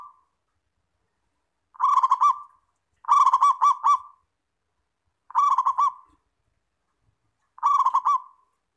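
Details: Clear recording of a local Zebra dove (perkutut), a frequently singing kept bird, used to prompt other doves: four or five bubbling coo phrases, each a quick run of pulsed notes with a trailing tail, every one to two seconds.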